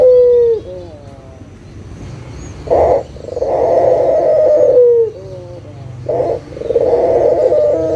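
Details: Barbary dove coo lure for birds that have stopped singing; low rolling coos, each opened by a brief clipped note and ending with a slight downward slur, two phrases over a quiet background.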